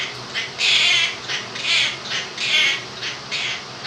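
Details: Pet Quaker parrot, male, two years old, singing 'happy' and 'clap your hands' from 'If You're Happy and You Know It': alternating drawn-out buzzy syllables and short notes, almost continuous, over fan noise in a room.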